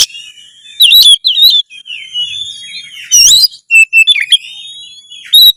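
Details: Oriental magpie-robin in loud, nonstop song, a tutor recording meant to raise breeding drive and fight mode: bright whistled notes, sharp rising and falling sweeps and buzzy bursts in quick irregular phrases, with short pauses between.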